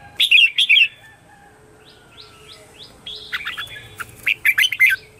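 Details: Red-whiskered bulbul in contest song, a morning 'chè' lure for wild birds: a loud warbled burst, then soft rising notes repeated four times, then another bright, chattering phrase at the end.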